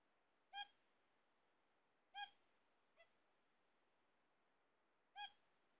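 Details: Captive zebra finches awaiting eggs give short nasal beeps at irregular intervals, three strong ones and a faint one over several seconds, with steady low hiss behind.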